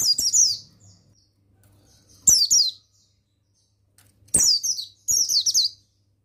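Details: Song of a male mountain white-eye meant to get other birds singing. Four quick bursts of sharp, high, falling twitters come at irregular intervals, each under a second long, with silence in between.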